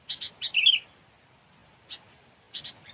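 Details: Sooty-headed bulbul used as a trapping lure. It gives a short burst of paired sharp notes, then a fluty, warbled phrase, with two brief sharp notes after a pause and a quiet background.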